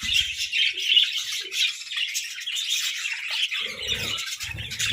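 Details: Budgerigars playfully competing for favourite treats: a dense, continuous flock chatter of high warbling chirps and squeaks, with a few soft low thumps at the start and end.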